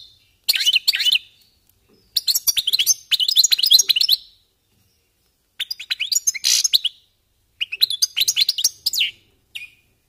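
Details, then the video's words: Several European goldfinches warming up, pouring out fast jangling twittered phrases with buzzy and liquid notes mixed, in four spirited bursts spaced by a second or two of quiet. "jilgueros calentando motores"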